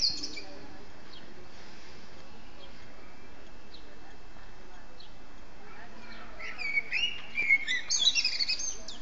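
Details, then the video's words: A songbird singing free in the wild; after several quiet seconds with only faint scattered notes, a burst of bright, high chirps and twittering phrases in the last three seconds over steady background hiss. "PAJARO CANTOR EN LIBERTAD"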